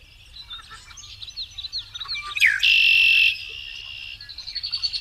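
A male Red-winged Blackbird gives its conk-la-ree: a few sharp chirps, a quick swooping note, then a loud, buzzy, rattling trill lasting nearly a second.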